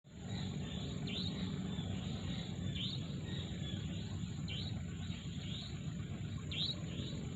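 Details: Birds chirping at sunrise in a mangrove forest: short high downward-then-rising chirps at irregular intervals over a faint continuous high chorus, with a strong steady low rumble throughout and a thin constant high tone.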